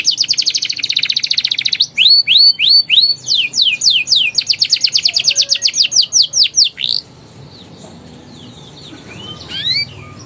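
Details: Young canary with lively ngeriwik and ngeroll song, meant as therapy for canaries that have gone quiet: a rapid buzzy trill, repeated upward-sweeping whistles and fast rolls for seven seconds, then near silence with a few faint chirps.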